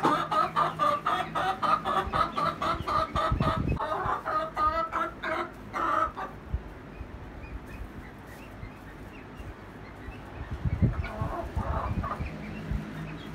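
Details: Egg song from two hens, one Rhode Island Red and one Golden Comet: rapid rhythmic clucking about four per second for six seconds, then quieter scattered clucks and rustling before the clucking resumes faintly.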